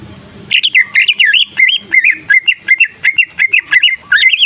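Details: Greater green leafbird song played to provoke other leafbirds into singing and fighting: a half-second pause, then a lively run of loud, clear whistled notes, each bending up and down and repeated in quick bursts about every third of a second.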